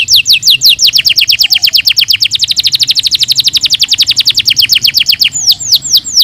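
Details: Canary song used to stimulate lazy birds, a fast trill of sharply descending high notes that speeds into a dense rolling run, then slows again to separate down-slurred notes.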